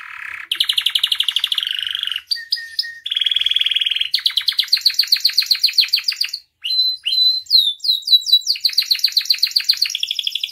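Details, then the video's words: Canary singing a lively tutor and trigger song with full fillers: fast trills at shifting pitches, rattling buzzy rolls, and rising whistled sweeps, with brief pauses between phrases. "SUARA KENARI AMPUH [#15] MASTERAN DAN PANCINGAN KENARI GACOR FULL ISIAN"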